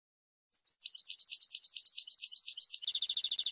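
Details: European goldfinch song used to educate birds for song competitions: a run of spaced twittering chirps accelerating into a fast, buzzy rattling trill, high-pitched with no background noise.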